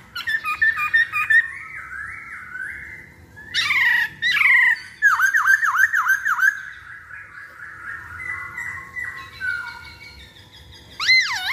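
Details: Lure recording of a masked laughingthrush singing to set other birds off: a long wavering whistle, a harsh burst, then a series of five looping whistled notes, softer warbling, and a final rising whistle.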